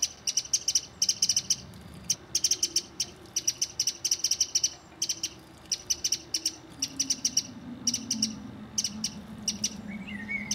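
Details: A mistle thrush family with three juveniles in a garden: a steady series of short, dry clicking rattles about once a second, over a low droning hum that slides downward in the background.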